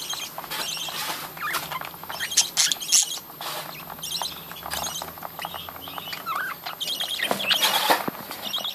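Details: Many budgerigars in a captive breeding colony chattering at once, a steady mass of rapid high chirps, scratchy warbles and squeaky notes, swelling louder near the end, with low background hum.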